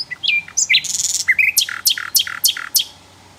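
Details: Javan flycatcher in the wild with a melodious song; loud, varied whistles and trills open the phrase, then a steady series of sharp, downslurred notes repeated about every third of a second, ending cleanly.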